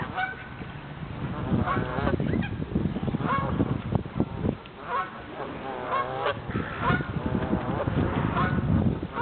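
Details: A noisy flock of Canada geese at Waddon Ponds, some becoming airborne: overlapping, harsh honks in quick irregular succession, mixed with low rumbling and flapping-like thuds.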